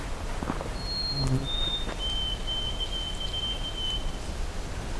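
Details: White-throated Sparrow singing loudly from the same tree along a wooded trail, giving pure, clear whistles that step down in pitch and end on a long held note, over a steady low rumble of wind or rain.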